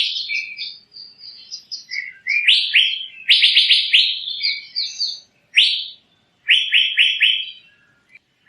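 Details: Asian fairy-bluebird in varied song: warbled high notes at first, then strong rising whistles in runs of three or four, with pauses between phrases.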